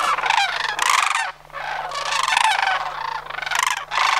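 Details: Migrating sandhill cranes, Homer, September 2009. Loud trilled bugles pulse in bursts roughly every second, harsh rolling rattles overlapping from several cranes calling at once.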